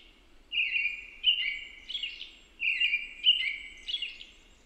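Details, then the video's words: American robin singing: clear, slurred whistled phrases in a mid-high register, delivered in two linked groups with short pauses, each phrase dipping and rising, over quiet background hiss. "American Robin singing"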